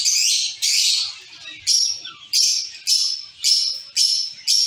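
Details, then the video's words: A colony of caged zebra finches gives nasal, trumpet-like calls. Two long calls open the series, followed by about six shorter ones repeated roughly every 0.6 seconds. "Zebra finch sound"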